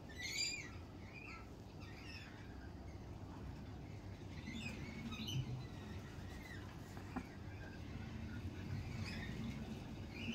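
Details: Lorikeets in spring: scattered shrill, rasping chirps and short screeches, some rising, spaced irregularly over steady low hum and background murmur.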